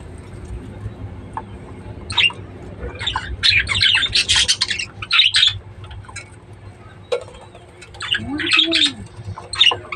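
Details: Budgerigars kept for breeding give scattered squawks and chirps in bursts, with a low steady hum underneath and quiet gaps between the bursts.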